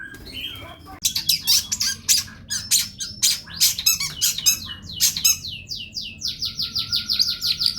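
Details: Energetic long-tailed shrike masteran song: after a quiet first second, a rapid stream of sharp, scratchy high chirps starts, ending in a run of clipped falling whistles, all loud and continuous.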